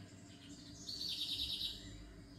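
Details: One bird delivers a short, high, buzzy trill of rapid notes lasting under a second, loud in the middle and tapering off, with faint low background noise throughout.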